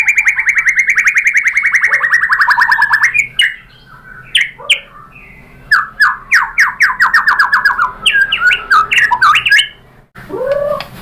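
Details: White-rumped shama singing as a lure to make other shamas respond: long rapid trill of repeated notes, then a quieter gap followed by sharp downslurred notes in quick series and a final rising whistle.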